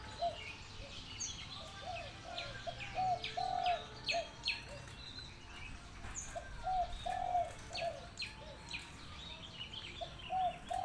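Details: Spotted dove, locally derkuku, repeating its kuk 2 or deruk sandungan coo phrase twice: clusters of short hollow coos with a longer swelling note, separated by pauses, amid frequent high chirps of other birds.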